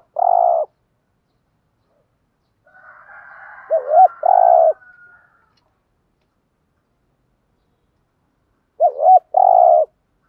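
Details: Calls of a decoy spotted dove meant to entice other doves; paired mellow coos, each pair separated by several seconds of quiet, with a soft rasping murmur before the second pair.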